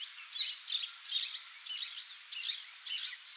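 A free flock of saffron finches gives overlapping high chirps and short trilled phrases, several birds calling at once over a faint background hiss.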